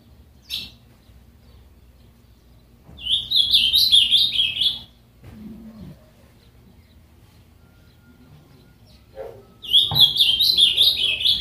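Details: Pet ultramarine grosbeak, kept caged, singing two bright warbled phrases about two seconds long, rich chirpy notes wavering up and down, separated by a pause with faint background noises and a low murmur.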